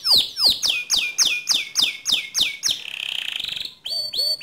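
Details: Loud white canary song of repeated downward-slurred whistled notes about four per second, switching to a fast low buzzy trill, then short clear whistles.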